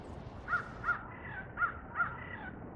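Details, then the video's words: A crow in Hartsville, South Carolina gives four short, clear notes roughly every half second, each a soft ringing call rather than a harsh caw, over a faint background hiss. "This Crow Makes A Pretty Sound; Bird Calls"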